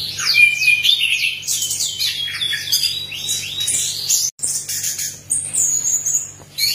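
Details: Orange-headed thrush; song; provoking other birds to sing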